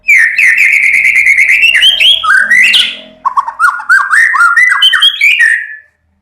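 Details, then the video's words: White-rumped shama in full song: a loud continuous run of rich whistled notes, first a level warbling phrase, then rising and falling slurred whistles jumping between pitches, ending with a descending whistle before silence. "Murai batu Ngeplong Sampek ngorok"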